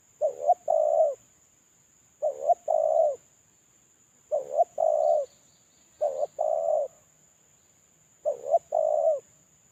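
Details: Molting, unpaired spotted dove kept as a decoy repeats its lure call five times, about every two seconds. Each phrase pairs a short bending coo with a longer husky coo, with faint high chirps in the background.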